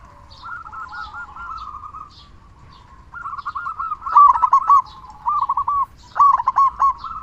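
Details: Rolling cooing song of a local zebra dove with a big voice, meant to spur quiet doves to sing; soft, quick curved notes at first, then louder rippling phrases building toward the end.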